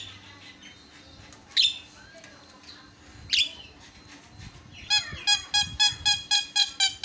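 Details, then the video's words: Javan myna giving an isian filler song: a quiet stretch with two sharp high notes, then a fast run of rich, harmonic, evenly repeated chattering notes at about four per second. "SUARA ISIAN..!! JALAK KEBO PALING KRENN"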